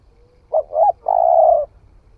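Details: Spotted dove that has newly begun cooing, tried out in the forest: two short, low hooting notes followed by one long, steady coo lasting over half a second, clean and quiet behind.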